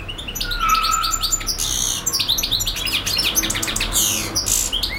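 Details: European goldfinch singing continuously, mixing a drawn-out whistled note, harsh buzzy bursts and rapid metallic twitters in a busy, jumbled flow over a low hum.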